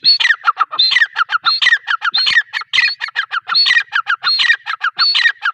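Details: Female grey francolin (teetar) voice: loud, rapid, rhythmic phrases of raspy rising notes and clucking chatter, repeated without pause for the whole stretch.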